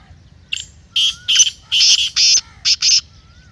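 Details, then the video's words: Black francolin, a recording used to excite kept francolins into calling: a loud run of harsh, grating, rasping notes, about seven bursts in three seconds, some doubled, with a faint thin whistle from another bird in the background. "Kala Teetar masti aur chakri k liye behtareen awaz/Black Teetar Voice"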